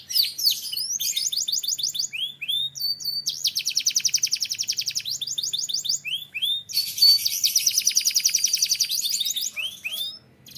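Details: Belgian canary in song, moving through fast rolling trills of evenly repeated high syllables, short whistled slurs between tours, and a long loud buzzy roll near the end.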